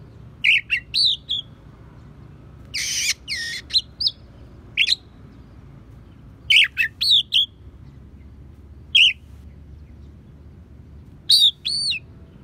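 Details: Oriental magpie-robin singing with copied sparrow and prinia calls, used to tutor songbirds: short bright chirps in small irregular bursts with pauses, one harsh buzzy rasp early on, roughly two dozen phrases a minute.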